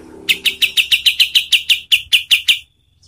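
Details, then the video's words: About thirteen crisp, high-pitched chirps in two and a half seconds, slowing slightly toward the end, from a kapas tembak used to tutor competition birds. "SUARA KAPAS TEMBAK untuk MASTERAN BURUNG LOMBA"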